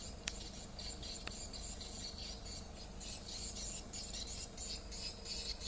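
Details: Swiftlets give a duress call of harsh, buzzy, rasping chatter, high-pitched and continuous, with faint thin whistles; a low hum and a couple of sharp clicks sit underneath.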